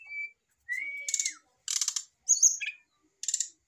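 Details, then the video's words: Caged male brown-chested jungle flycatcher reacting to a female beside it: long steady whistles, one ending in a downward slide, alternating with dense buzzy rattling bursts and a high warbled note. "REAKSI SRDC JANTAN MAPAN DI TEMPEL SRDC BETINA , PANCINGAN SRDC AGAR CEPAT BUNYI"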